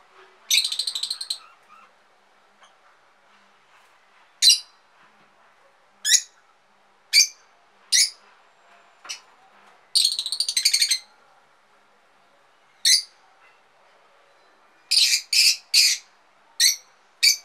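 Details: Pet-store budgerigar being tamed gives sharp, high chirps and two longer bursts of harsh, buzzy chatter.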